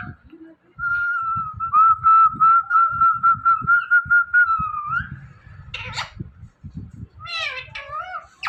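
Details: Pet Indian ringneck parrot whistling a long run of about twelve even pulsed notes on one pitch that dips at the end, followed by a harsh squawk and a wavering nasal call.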